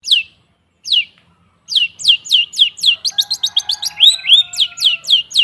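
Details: Long-tailed shrike song used as a lure to get silent shrikes singing: sharp, downslurred whistled notes, first spaced, then fast runs of about four per second, with faint lower whistles in the background.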